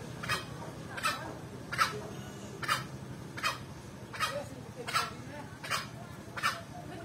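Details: Eight evenly spaced, abrupt calls from an actively vocal male green junglefowl, each a short burst, against light background noise.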